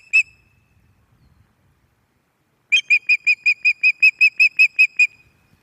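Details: Calling female Osprey on the Loch of the Lowes nest, 11 May 2024, while a new male visits: one sharp whistled note, a pause of over two seconds, then about fourteen shrill chirps in a quick, even series.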